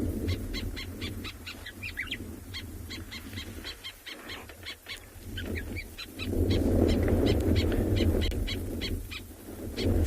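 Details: A white-browed sparrow-weaver (Plocepasser mahali) at Thornybush repeats the same sharp, harsh alarm note rapidly, several times a second, over low wind rumble. It is mobbing a large snake, joined by others, to drive it from the nest.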